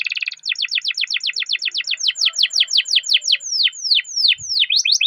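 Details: Canary in full rolling song, meant to spur other canaries: a rapid series of downward-sweeping notes repeated about three per second, slowing slightly toward the end.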